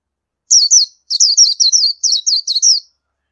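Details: Oriental white-eye (Zosterops palpebrosus) calling: two quick bursts of high, thin, tinkling notes, about a dozen in all, each sliding up and down, with no other sounds.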